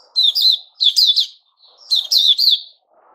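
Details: White-crowned shama (Puteh Raja) in its new-feather season, recorded 6 September 2021: three rich, warbled phrases of quick whistled notes with slurred, descending inflections, separated by short pauses. A soft low murmur sits faintly beneath.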